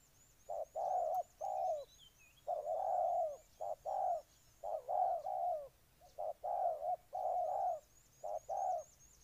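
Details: Spotted dove cooing in Ninh Thuận, Vietnam: low, mellow notes in repeated phrases of a short note followed by a longer, fuller coo, with a thin, high, rapidly repeated chirping from another bird in the background.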